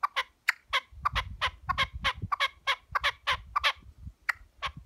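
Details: Wild red-legged partridge (Alectoris rufa) visiting a farm's chicken enclosure gives harsh, rapid chuck-chuck notes, about a dozen in quick irregular succession, over a low rumble of background noise.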